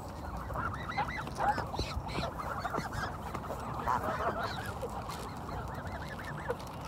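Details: Flock of Canada geese in spring at Kirby Muxloe castle, England, giving a constant chorus of overlapping short nasal honks, with low ambient rumble beneath.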